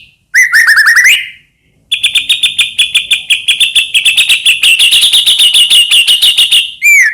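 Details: White-rumped shama, Medan type, in vigorous song meant to provoke other shamas: a descending series of whistled notes, a pause, then a sustained fast high chattering trill for five seconds ending in a slurred whistle.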